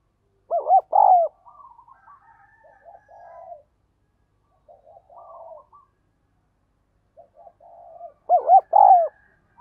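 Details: A spotted dove kept as a decoy calls wild doves in with the urging 'gáy thúc' call. Loud paired hollow coos open and close the passage, with soft murmured cooing from other doves between.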